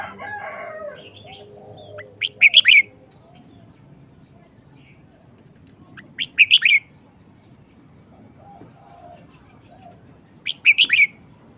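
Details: Red-whiskered bulbul repeating short, busy song phrases: three tight bursts of bright, ringing whistled notes spaced about four seconds apart. Soft warbling opens the recording, and quiet background noise continues throughout.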